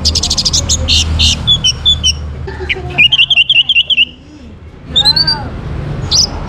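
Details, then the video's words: Orange-headed thrush recorded in Singaraja, North Bali, sung to encourage other birds to join: quick stuttering high notes, then a fast series of repeated whistled chips and a rising slurred phrase, low rumble underneath. "KICAUAN ANIS MERAH UNTUK PANCINGAN AGAR BURUNG IKUT BERKICAU"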